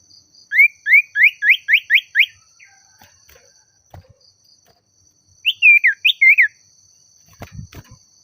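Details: Common iora in lively song calling a rival, giving a run of seven quick rising whistled notes, a short pause, then a second burst of looping whistles; a steady high electronic tone runs throughout.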